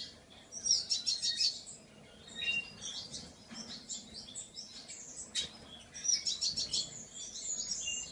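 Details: Painted bunting singing high, tinkling warbled phrases in several bursts, with short pauses between phrases and some fainter chirps in the gaps; light steady background noise.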